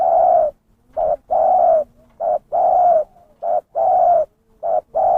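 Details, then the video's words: Loud zebra dove lure call, short notes alternating with longer steady coos in a fast, near-continuous run of about eight notes, with little background. "suara pikat burung terkukur gacor"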